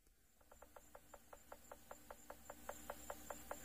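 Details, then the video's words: A Bearded Woodpecker drums a territorial call announcing itself to rivals on safari, 12 April 2024. About seventeen hollow wooden knocks come in a steady roll, roughly five a second, growing louder over a faint high insect hiss. "Now that's the sound of the bearded woodpecker."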